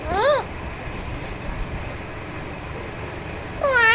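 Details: Two brief, arching, voice-like calls from a talking Alexandrine parakeet during a massage, one at the start and one at the end, with quiet background noise in between.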